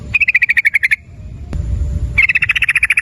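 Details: Sooty-headed bulbul lure recording for prompting calls: two long, fast clicking rattles of evenly spaced loud pulses, about a dozen per burst, with a short pause between them.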